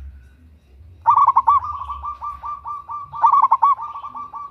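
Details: Female local zebra dove calling a male, a lure sound; a loud rolling burst of quick coos flows into a steady train of softer coos, then another loud burst, steady throughout.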